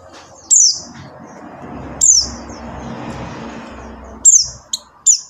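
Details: Call of a buxtoni white-eye, played to coax non-singing white-eyes into song. Thin, high descending notes come at irregular gaps, the last few in a quick cluster, above a low rumbling background.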